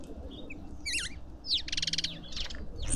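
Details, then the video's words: In a Pretoria suburban garden in South Africa, lovebirds at a feeder give looping high squeaks followed by a pulsing, grating buzz and a final shrill note. "Lovebirds endlessly"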